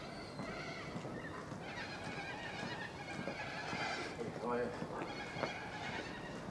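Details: Little corellas, a cockatoo, outside an apartment in suburban Melbourne, Australia, on 2 April 2014: overlapping harsh, nasal screeches and chatter from several birds against a steady noisy background.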